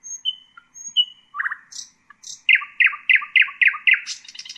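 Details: A Common nightingale (Luscinia megarhynchos) sings thin, high whistles, then a fast run of six loud, falling notes, closing with a higher buzzy flourish; nothing else is heard.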